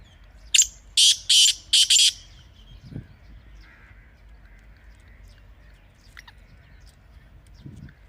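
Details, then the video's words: Teetar, a partridge, gives a rapid series of four rasping, high, buzzy notes in the first two seconds, followed by near silence with a couple of faint low thumps. "Teetar Ki Awaz Ko Mazboot Karne Ka Tarika"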